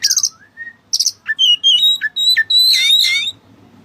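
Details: Kacer, or Oriental magpie-robin, singing Cililin-style phrases: high buzzy chatters, a falling-then-rising whistle, clear whistled notes, and a final sustained run of bright warbling.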